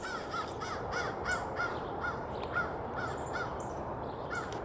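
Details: Crow yelling while harassing a red-tailed hawk: a run of about ten hoarse, short caws at an irregular quick pace, partly buried under constant loud rushing noise.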